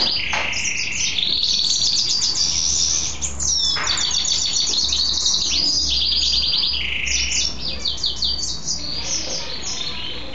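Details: Pet mule goldfinch singing after his bath, still singing toward evening: a continuous rush of bright, high twitters, rapid trills and sliding whistles, with brief rasping bursts and barely any pauses.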